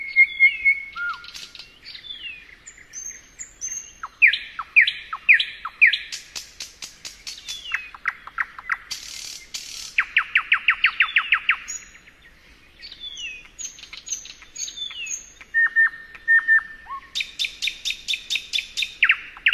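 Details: Common nightingale (Luscinia megarhynchos) sings a rich, varied song of rapid trills, whistles and clicking rattles.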